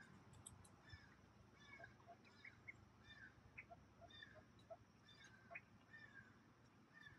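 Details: A bunch of ducklings in the 2018 goose and duck hatching season, on the afternoon of August 9, 2018. Soft, thin peeps come scattered throughout, some slurred downward and some rising, over steady low background noise.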